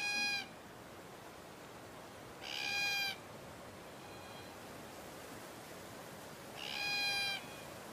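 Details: Glossy black cockatoo in the Pilliga scrub, central NSW, Australia, in late spring, from a population ranging in family groups, giving three drawn-out, even-pitched wailing calls, each about half a second long, spaced a few seconds apart over a quiet background.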